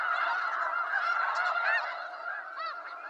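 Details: Wild snow geese of eastern North America calling together, a thick mass of nasal honks with a few clearer, higher yelps standing out near the end.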